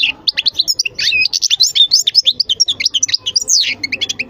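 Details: Goldfinch song, a continuous stream of bright, rapid twittering notes and quick rising and falling chirps delivered without pause, over a faint steady low hum.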